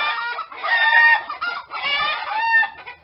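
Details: Rooster crowing loudly and close: two rich, harmonic, strained crows, each just over a second long with a wavering, warbling finish, separated by a brief pause.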